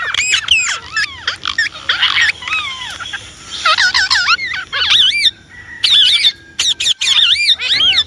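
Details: Indian ringneck parrot running through dense strings of wavering, looping harmonic syllables in a chattering talking style, with sharp clicks and brief pauses between phrases.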